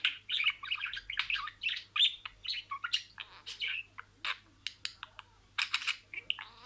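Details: Budgerigar talking with imitated words: a continuous stream of scratchy, chirpy syllables and clicks, busy at first, then breaking into shorter separate bursts toward the end.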